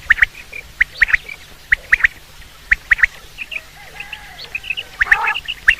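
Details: Quail (batair) hunting call: crisp doubled clicking notes, spaced irregularly, with faint thin high piping and a short rasping burst near the end over a low background hum.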